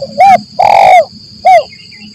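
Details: Spotted dove call in the 'Kuk 1 Mersik' style, used as a lure for trapping doves in forest: three hoarse, arched coos, short, long, short, with a steady high electronic whine throughout.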